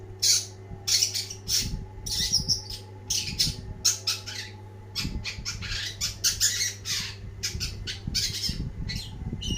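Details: Energetic long-tailed shrike, known as cendet, pouring out a dense chattering song of scratchy chips, harsh rasps and short whistles in tight clusters, with a persistent low hum underneath.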